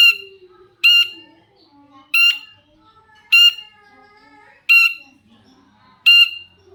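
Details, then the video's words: Long-tailed shrike calling loudly as a lure for other shrikes to respond; six harsh, rasping squawks with a nasal ring, each separated by just over a second of near silence. "cendet gacor pancingan burung cendet agar cendet bunyi INI AMPUH BIKIN burung cendet lain NYAUT"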